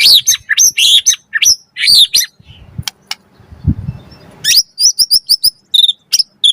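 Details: White-rumped shama in energetic, full song, used as a lure to make other shamas answer and as a tutor recording: rapid high chirps and sweeping whistles, a short pause with low rustling, then a bright run of clipped high notes.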